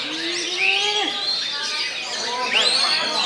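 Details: Oriental magpie-robin in full song at a bird song contest, Indonesia: loud varied whistled phrases with rising and falling sweeps, some slurred notes climbing high, with a few lower whistles and background voices.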